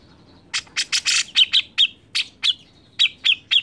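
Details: Singing grey-cheeked bulbul, used to lure other birds into song. It gives a dense run of harsh chirps, then repeated sharp notes, each ending in a brief whistle, roughly four per second.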